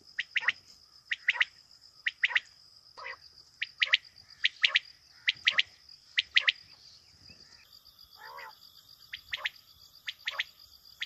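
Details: Quail calling with sharp, high clipped notes in quick clusters of two or three, the groups repeated about once a second against a steady high-pitched whine.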